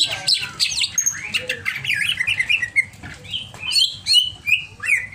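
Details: Greater green leafbird, described as over-excited, delivering a rapid, varied warble of whistles, slurs and sharp high notes, mimicking-style and continuous, with clean surroundings.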